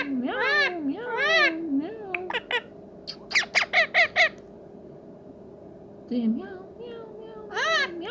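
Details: Friendly pet ringneck parrot produces arching nasal squawks, then a quick series of five sharp clicky notes, a quiet gap and more bending squawks, indoors with a constant hum.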